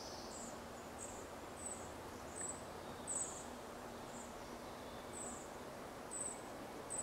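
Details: Juvenile red-breasted flycatchers calling in a forest at Zartovka on 14 June 2012; thin high clicking call notes repeated roughly once a second over a steady background hiss.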